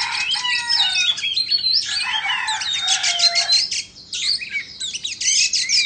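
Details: Indonesian white-rumped shama, an owned bird, singing while dancing and fanning its tail: a rich, rapid medley of clear whistles, slurred rising and falling notes, and harsh chattering bursts, with a brief pause near the end before the song resumes.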